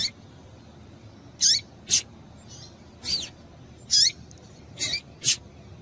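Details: A female Double-collared seedeater calls to excite males, with a series of about seven quick high chirps, several slurring downward, at uneven intervals over low background hiss.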